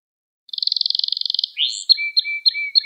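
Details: Canary singing for young canaries to learn from: a fast pulsed trill lasting about a second, followed by a rising note and a series of separate high chips over a thin steady whistle.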